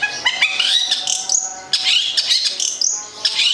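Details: Local long-tailed shrike (cendet, plentet) from Gedong Songo, Central Java, a kept songbird, singing a busy run of chattering, buzzy high notes with rising whistled slurs, in several bursts with brief pauses; a faint steady hum underneath.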